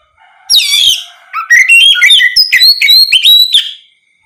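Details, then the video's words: Loud ngeplong song of an Oriental magpie-robin, used to bait other magpie-robins into singing. A high descending whistle is followed by a fast, rhythmic series of short, varied chirps and whistles lasting about two seconds. "Terapi suara Kacer ngeplong untuk pancingan Kacer apapun agar ikut bunyi nyaut gacor"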